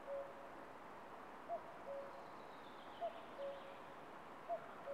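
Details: Common cuckoo calling on a branch in Estonia, recorded by camera trap: soft two-note cu-coo, the second note lower, repeated about every one and a half seconds over a quiet background hiss.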